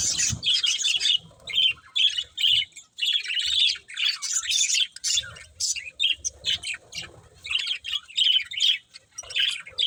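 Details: Playful budgies chattering together, a busy stream of twittering, buzzy chirps and short squawks in uneven bursts separated by tiny gaps, with soft low knocks in the background.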